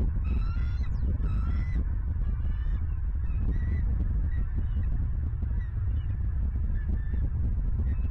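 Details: Wild bald eagles at a nest in Southwest Florida, filmed by a nest camera in late November: thin, high piping and chittering notes, louder near the start and then fading to softer whistles, over strong low wind noise.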